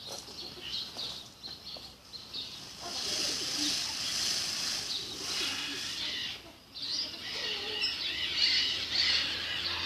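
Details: A flock of sparrows in a bird park, starting with scattered chirps and swelling into a loud, dense wall of overlapping high twittering and chirping.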